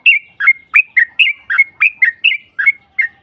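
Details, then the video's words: Yellow-vented bulbul lure recording meant to make a rival answer: a steady series of clear, slurred whistled notes, some dipping and some rising, repeated roughly every 0.4 seconds without pause. "Pancingan trucuk NARUNG NEMBAK Ropel panjang BUAT Mancing EMOSI LAWAN PASTI nyaut Ngropel Seketika"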